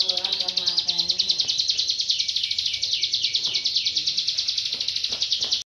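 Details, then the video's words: Bar-winged prinia (ciblek gunung) in full, active song, used as a tutor recording for songbirds: a rapid, steady chain of high, sharp chirping notes, about three per second. A low human voice is heard briefly at the start. "ciblek gunung gacor"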